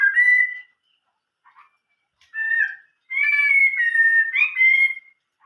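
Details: Chinese hwamei singing with an old-forest voice: a bright whistled note, a slurred phrase, then a long sustained run of clear, steady and warbling whistles.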